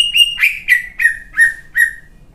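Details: Singing competition greater green leafbird, a champion singer with a coarse fill-in repertoire. One clear whistled note gives way to five sharp, downward-slurred notes spaced about a third of a second apart. No other sounds.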